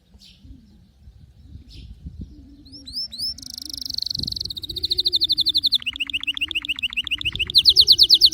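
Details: A canary sings over a low steady hum. Scattered soft notes give way to rising whistles, a rich buzzy roll, then a rapid metallic trill of repeated notes, and finally a loud, very fast high trill.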